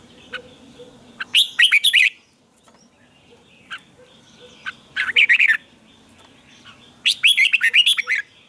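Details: Red-whiskered bulbul singing a morning training song with strained, twisted double notes: three loud bursts of quick warbling whistles, each about half a second long, spaced a couple of seconds apart, with soft chirps between.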